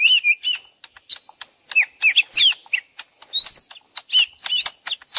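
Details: Lesser green leafbird lure recording blended from two birds answering each other as if fighting: a lively, high jumble of whistled slurs, rising and falling sweeps, and sharp clicks in quick bursts, no other sounds.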